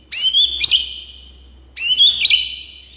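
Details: White-rumped shama song played to stir a quiet bird to sing: two loud high whistled phrases, each a bright rising note ending in a sharp burst, about a second and a half apart.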